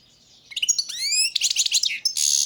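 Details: Balcanica European goldfinch in continuous song, rising whistled slurs running into dense, tinkling high chatter, then a sustained buzzy, metallic trill closing the phrase; faint low background hum.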